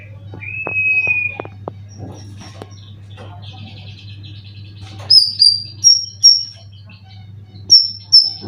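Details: Caged white-rumped shama, a trained contest bird stated to be in 90% condition: a long flat whistle, a few clicks, then thin, high whistled notes repeated about twice a second, over a steady low hum.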